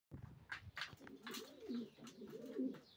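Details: Racing pigeons cooing: low, rolling coos that rise and fall in a soft wavering phrase, accompanied by light rustling and clicking sounds.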